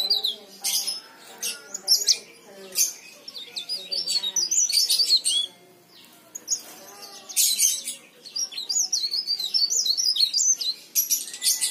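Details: Lively leaf warbler song used to lure other leaf warblers into song; long run of very high, rapid, jumbled twitters and chips in dense bursts with short pauses between.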